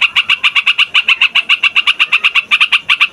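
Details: Yellow-vented bulbul (trucukan) in a rapid rolling song meant as a trapping lure: about four clear, chirpy notes per second, steady and repeated without a break.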